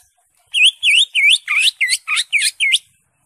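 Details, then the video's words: Greater green leafbird ngekek song: eight loud, evenly spaced V-shaped whistled notes, each dipping then rising sharply, repeated about three times per second on a silent background. "CUCAK IJO SUPER NGEKEK"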